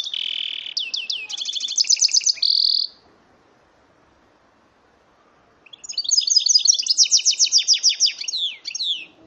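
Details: Song of a goldfinch × canary hybrid, bred from a male goldfinch and female canary: fast high trills and rattling tours of repeated notes, a long run then a three-second pause before another rapid rolling trill.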